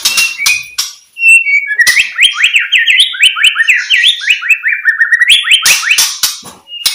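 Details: Rapid, sustained white-rumped shama song meant to set silent shamas singing: a long rolling series of fast up-and-down whistled notes, with scattered clicks before and after.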